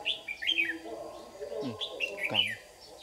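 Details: Red-whiskered bulbul of the white-cheeked type, a lure bird singing competitively during trapping in Đồng Nai, Vietnam, on 26 June 2019: short bright warbled phrases with quick rising and falling whistles, a steady low hum underneath.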